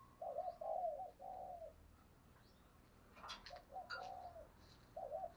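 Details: Decoy spotted dove performing the "thúc gù" coo used for luring wild birds: gentle repeated two- and three-note coos at moderate pitch, a few faint clicks and knocks between phrases, and a noisy background.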